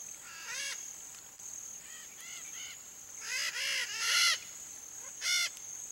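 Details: Red-shouldered macaw, free-living Brazilian parrot of the Pantanal: scattered harsh, grating squawks with stacked harmonics, some softer, then a louder burst of rapid raspy calls, against a constant high-pitched insect drone.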